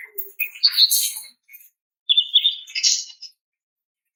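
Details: Female greater green leafbird calling a male: harsh scratchy chirps with noisy bursts, then a warbled whistled phrase after a short pause.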